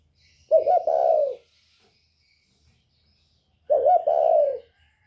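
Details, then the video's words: Spotted dove of the northern type with the 'còi bổi' voice, a call used to provoke other birds: two loud, mellow cooing phrases about three seconds apart, each a short stuttered start running into a longer sustained coo, quiet background. "Chim cu gáy giọng còi bổi ghét kích chim rất hiệu quả, cu gáy miền bắc"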